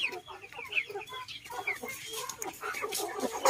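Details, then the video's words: Flock of chickens feeding in a garden alongside ducks in Vietnam: overlapping low clucks and soft murmuring calls, with scattered higher squeaky notes and feeding scuffles throughout. "Đàn gà vịt đang ăn trong vườn"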